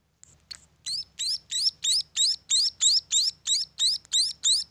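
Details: After a couple of soft opening notes, munia chicks at a bird farm launch into regular high upswept chirps about three per second, over a faint low murmur.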